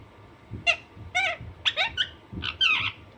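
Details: Alexandrine parakeet, a naughty pet bird, making a few short, raspy squawks and chattering notes, irregular and somewhat muffled, over a low background hum.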